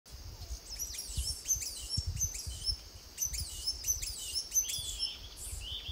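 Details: Blue-and-gold Tanager in Costa Rica, filmed on a Fujifilm XH1 during trips in January or October 2021; clusters of thin, high, sharply down-slurred chirps in uneven bursts, over low rumbling handling or wind noise.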